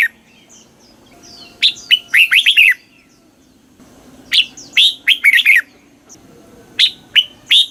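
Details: Southern-style red-whiskered bulbul master song from Thailand, played to rouse caged birds: phrases of quick, bright whistled notes falling in pitch, delivered in bursts about every two to three seconds, with faint bird calls between.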